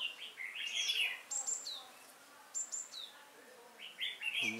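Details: Trapping scene on 5 October 2018 with a decoy red-whiskered bulbul calling wild bulbuls. Lively warbled phrases and high whistled notes, repeated in short groups, end with a low buzzy sound.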